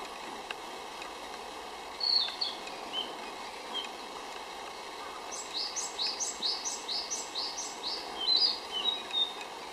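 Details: Narcissus flycatcher song in a Saitama, Japan forest on May 6, 2011: a run of about six clear, high, repeated notes, then more bright phrases. Softer chirps come earlier over a faint hum, and great tit calls are also in the recording.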